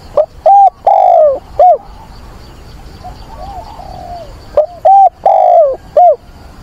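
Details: On 24 September, amid wind and rain, a decoy dove in a cage calls for a mate with two loud four-note coo phrases about four seconds apart; softer, more distant cooing from another dove is heard in the gap.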